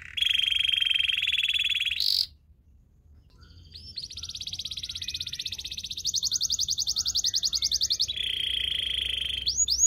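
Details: Belgian singing canary, a song used to train other canaries: a long steady rolling trill, a brief pause, then a rapid pulsing trill that speeds into a dense rattling roll and ends in rising whistled slurs.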